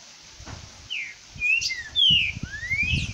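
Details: Great thrush singing at 11:48 in the morning: clear whistled phrases, some rising and some falling, with a sharp upslurred note among them, over low rumbling noise.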